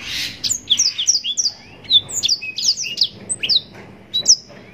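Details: Yellow-rumped serin, bred in captivity, singing a long, rich mastering song: rapid, continuous high whistled and chirped notes, many short downslurred and upslurred phrases run together with barely a pause.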